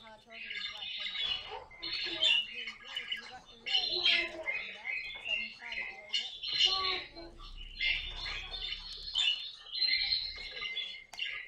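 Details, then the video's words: Household caique parrot letting out loud, grating squawks in choppy bursts about once a second, some notes rising sharply, with faint human voices underneath. "попугай каик!"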